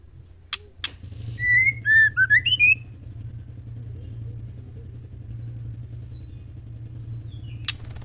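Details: Female White-rumped shama call, used to stir males into singing: a brief run of clear whistled notes, rising and falling slurs repeated quickly for about 1.5 seconds, over a steady low engine hum, with sharp clicks before and after.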